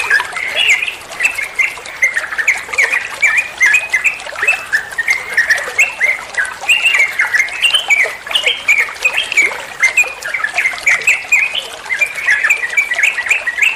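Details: Trucuan bulbul master song used to train other songbirds to answer: long, unbroken stream of lively warbling and chattering whistles, fast slurred phrases repeating with little pause, steady and loud.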